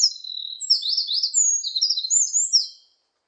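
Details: High, rapid song of a Eurasian wren from 2020: tumbling trills and sharp whistled notes ending in a fading phrase, heard alone against silence.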